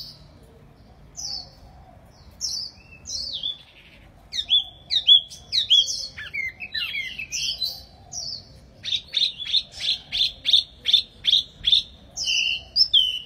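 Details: Wambi mini bird singing vigorously: scattered high whistles, then varied swooping, twisting phrases, building into a rapid, insistent string of loud clipped notes near the end, with low background hum.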